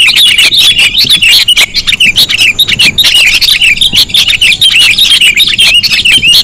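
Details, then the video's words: A very sensitive lure sound of the sooty-headed bulbul: continuous, rapid, overlapping high chattering chirps without real pauses, busy and intense throughout. "Suara pikat kutilang sangat sensitif"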